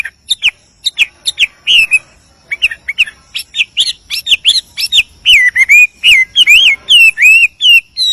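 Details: Wild male hwamei (wambi) calling a female with a rich, melodious song: short rising whistles early, then sustained looping and warbling whistled phrases, notes following each other roughly every half second, clear and loud over a quiet background.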